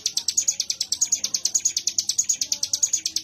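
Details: Ciblek gunung, the mountain prinia, pouring out a brisk string of evenly spaced high chips, clipped and metallic, about two each second, with little else audible.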